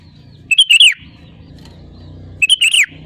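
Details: Lively sooty-headed bulbul song meant to lure and prompt other birds to sing: two short, bubbly whistled phrases about two seconds apart, each falling at the end, over a faint low hum.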